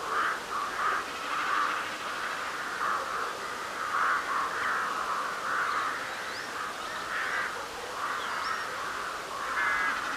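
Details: On a spring night at full moon in March 2021, a flock of crows keeps up harsh, overlapping caws, several every second, with a few faint higher chirps of other birds behind.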